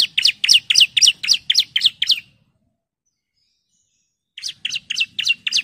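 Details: Female bar-winged prinia calling the male: eight crisp, high, downslurred chips in quick regular succession, then about two seconds of silence, then another quick series of similar chips.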